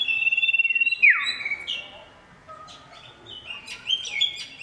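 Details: Male oriental magpie-robin in lively loud voice calling a female: a long steady whistled note ending in a sharp downward sweep, a rapid trilled stutter, then varied high whistled phrases.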